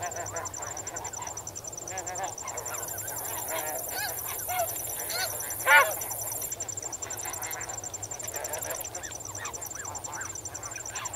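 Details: Close snow geese in a flock on the water, wading and swimming, with intermittent honks and one louder sharp call near the middle, crickets pulsing steadily underneath throughout.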